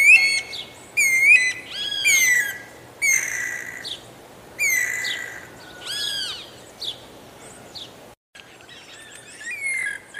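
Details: Guira cuckoo delivering a rapid run of loud, ringing whistled notes about once a second, each curving upward, with layered echoing overtones, then a quieter stretch of fainter notes.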